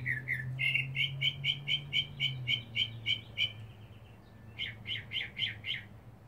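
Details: Back-yard mockingbird performing for a mate: a rapid, even run of about a dozen identical sharp notes, a brief pause, then a new phrase of five quick repeated notes, over low droning background.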